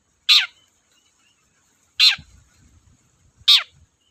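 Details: Long-tailed shrike giving three harsh, scraping calls that drop in pitch, spaced one to two seconds apart, used as a lure to make other shrikes sing; faint low knocking in between.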